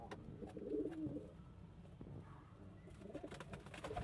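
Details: Domestic pigeons give brief, rolling coos, one strong phrase early and quieter bubbling calls later, over a murmuring, slightly roomy background.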